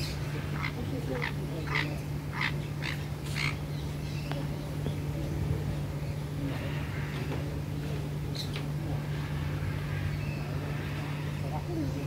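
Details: Jenday conure at Bird Paradise, Singapore, giving a quick run of harsh, screechy squawks about two per second, then a few scattered ones, over a steady low mechanical hum.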